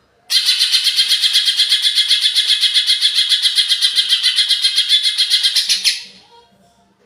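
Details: Agitated greater green leafbird, used as a lure to stir up other birds: a loud, harsh, high chattering note repeated evenly about four times a second, some twenty times over five and a half seconds, then stopping abruptly.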